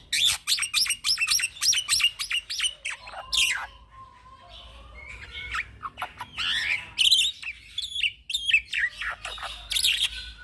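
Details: Song of a young black-winged myna, a tutor recording for training birds: a rapid volley of sharp chirps and clicks, a brief pause, then varied squeaky whistles, rasps and chattering notes delivered without letup.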